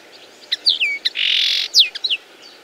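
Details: Common linnet mixing downslurred whistles and sharp chips around a sustained buzzy note lasting about half a second.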